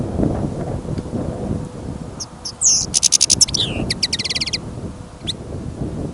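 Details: A goldfinch kept in a cage for a listening trial sings during a windy, snowy trapping trip. A twittering phrase moves into a rapid, even trill of repeated notes, then one last chip, with wind roaring throughout.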